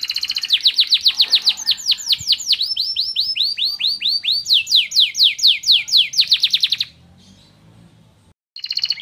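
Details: Canary pouring out white-eye (pleci) song material in a long unbroken roll of quick arched, downslurred notes, with pitch dipping and climbing across phrases, followed by near silence and a brief final burst.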